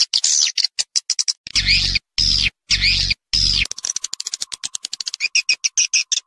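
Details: Swiftlets recorded in Vietnam: high, thin chirps, then three loud, harsh arched calls, ending in a fast run of dry clicking twitters.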